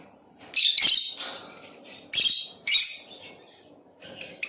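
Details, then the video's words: Chirping from a Blue Opaline lovebird, with loud harsh high chirps in clusters separated by pauses of about a second, each burst noisy and rasping, with a quiet background murmur. "Play this video and make your LOVEBIRD chirp and sing | Lovebird chirping sounds - Blue Opaline"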